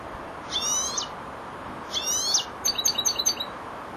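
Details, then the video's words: Four-month-old European goldfinch, a young bird just beginning to finish its song phrases, gives two rapid buzzy trilled bursts followed by a string of short bright chirps, high and clear over a soft background hiss. "jilguero el estudiante rematando"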